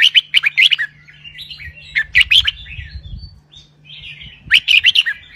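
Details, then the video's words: Caged red-whiskered bulbul singing a doubled 'berl roi' style song: quick bursts of four or five bright, slurred whistled notes, repeated after pauses filled with softer warbling, over a steady low hum. "นกกรงหัวจุก (เจ้าตอก) เบิ้ลร้อยเพราะ ๆ"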